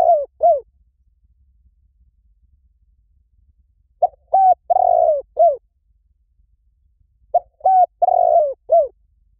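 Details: Spotted dove call used to lure wild doves: three cooing phrases, each a quick pair of short coos followed by a longer drawn-out coo and a clipped final note, spaced about three to four seconds apart over silence.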